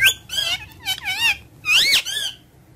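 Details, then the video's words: Talking parrot kept indoors giving loud high squawks and bent whistled notes in quick bursts, the longest swooping up and down near the end. "Talkative parrot"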